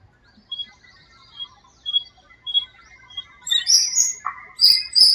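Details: Birds in a small park at dawn during breeding season and the rainy season: soft, evenly spaced high pips, then a denser flurry of bright chirps and twitters toward the end.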